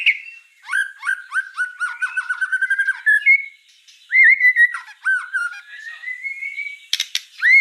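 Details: Vigorous white-rumped shama song ('gacor'): a fast trill of repeated clear notes, looping whistled phrases, a long rising whistle and a sharp harsh burst near the end; no other birds audible.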